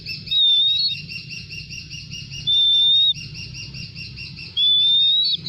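Golden eagle giving three long, thin, even whistles at a high pitch, roughly one every two seconds, over a low background rumble.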